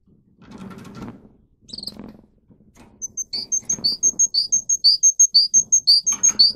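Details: Russian canary bred for singing, caged, song used to train other canaries: after a few seconds of low rumbling noise, a quick series of bright, high repeated notes, about four per second, grows louder.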